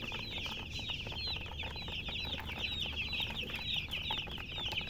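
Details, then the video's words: Colored chickens (murgi hen) chirping continuously, many high, thin peeps crowding together in a constant twittering chorus over a low humming background. "silly chicken chirping sounds"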